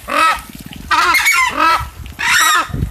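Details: Southern screamer at a zoo bird park in Poços de Caldas, Brazil, calling to warn of an intruder: three loud, harsh, honking trumpet blasts, each about half a second, separated by short low rattling notes.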